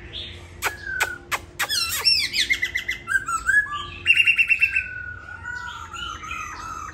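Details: A few sharp clicks, then a laughingthrush, caged at home in Hà Nội, Vietnam, while molting its tail, pours out looping whistles and a steady trilled phrase.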